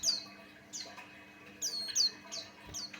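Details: White-eye of the Buxtoni form, singing to lure others: a few high descending chirps with uneven spacing, one quick double note, faint low hum underneath.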